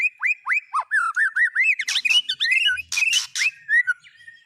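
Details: White-rumped shama in full song with borrowed phrases from speed cililin, canary and lovebird; loud clear looping whistles in quick succession, interrupted by harsh rasping bursts, in a quiet setting.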